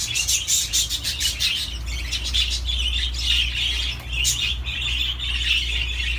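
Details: Dense budgerigar warbling: busy, continuous chatter of scratchy chirps, clicks and squeaky notes with barely a gap, a steady low hum running beneath.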